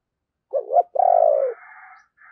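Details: Spotted dove kept as a decoy, cooing to set others off: a double hoarse coo followed by a long pulsed, gradually falling coo, with a soft chirping trailing behind.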